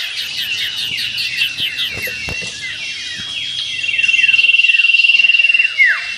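A Common Iora sings quick, high, down-slurred whistles, then a long, even, rapid trill on one pitch; faint background rumble underneath.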